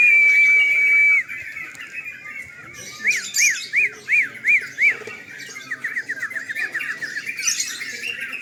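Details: Sooty-headed bulbuls at a nighttime singing contest. A steady high whistled tone for about a second, then six loud arched notes rising and falling in a regular series, then a fast, softer chatter of many birds.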